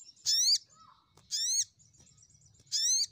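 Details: Crimson sunbird lure for calling rivals: three loud, harsh buzzy notes with stacked overtones, each about a quarter second long and spaced roughly a second apart, with faint high ticking between them.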